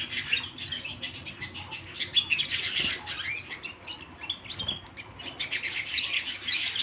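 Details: Canary singing indoors, bursts of quick high trills and chirps separated by brief softer gaps.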